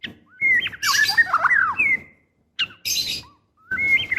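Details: A female white-rumped shama in breeding condition calls to the male, giving twisting whistled phrases broken by rough, noisy rasps. Short pauses separate the bursts, and a rising whistle starts again at the end.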